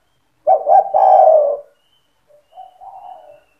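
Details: Spotted dove in vigorous cetretan-style song that is said to stir other doves to answer: one loud low coo phrase, two quick notes then a drawn-out coo, followed by a fainter, shorter cooing phrase.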